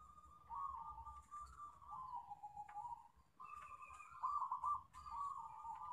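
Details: Zebra dove of the local type giving a lure song to prompt other doves: long wavering coos that dip lower, then a brighter trilled phrase, with steady low background rumble and faint higher tones.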